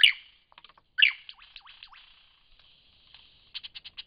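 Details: Lyrebird from Cape Liptrap Coastal Park: two loud harsh bursts, then sliding whistled notes and a closing row of quick clicks.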